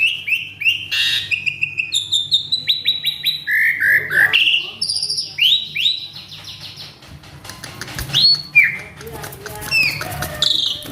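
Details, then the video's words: {'caption': 'Agitated male Asian pied starling singing its mimicked repertoire: loud rhythmic whistled notes in quick succession, then varied sweeping and buzzy phrases, later more scattered chirps and whistles.'} "Si Jalu Emosi | Suren Ngamuk | Full Isian"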